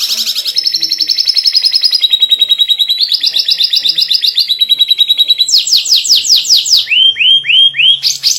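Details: White canary singing loudly, a recording used to teach young canaries to sing: long rapid rolling trills at changing pitches, then a run of quick downslurred notes and lower, swooping whistled notes.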